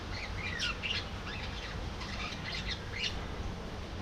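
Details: Budgerigars in a colony aviary, several birds chattering together: overlapping warbled and squawky notes sliding up and down, set against a steady background hiss.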